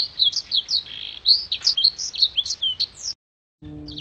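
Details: Gacor Blackthroat used as a master song for contest birds pours out rapid, high, clear chirps and slurred whistles for three seconds, then stops abruptly before a faint restart over a low hum.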